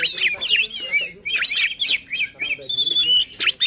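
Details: White-rumped shama song used to provoke other shamas into singing and to prompt reluctant or competition birds: varied rich whistles, sweeping slurs and sharp chattering notes in quick succession.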